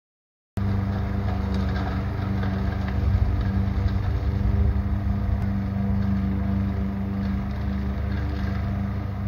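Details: After a moment of silence, a steady droning motor hum, like a boat engine, runs to the end with no animal calls.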